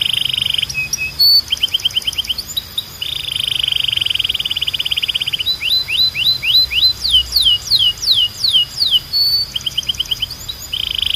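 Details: Belgian canary singing as a training song to stimulate other canaries: sustained buzzy trills and rolls alternate with series of quick downslurred whistled notes, varied and continuous.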